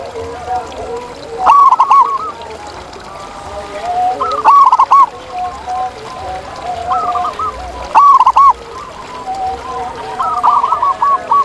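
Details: Wild zebra doves calling in the open: spaced phrases of quick, rolling coos roughly every three seconds, softer lower doves murmuring between them over a steady background hiss.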